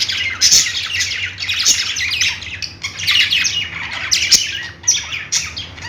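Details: Budgerigar chatter of rasping high chirps and squawks in uneven clusters, with several sharper louder notes standing out, over a constant low background hum.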